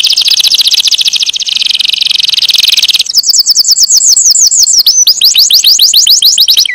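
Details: Canary song, loud and continuous: a fast, buzzy trill of rapidly repeated notes for three seconds, then shifting to a run of clear, sweeping whistled notes that slide downward, repeated several times a second.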